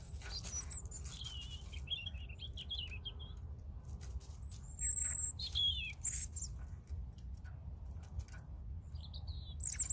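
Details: High thin whistles and a scratchy, twittering run from a European robin, then louder sharp descending notes and a brief final phrase, with pauses between bursts and steady low background noise.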